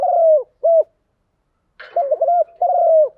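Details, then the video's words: Spotted dove in the morning giving a deep coo: a falling note and a short hoot, a pause of about a second, then a quick double hoot and a long descending note. "Tiếng chim gáy buổi sáng, mở lên vừa nghe thư giản vừa luyện bổi gáy theo. ÂM GÁY CHUẨN ÂM"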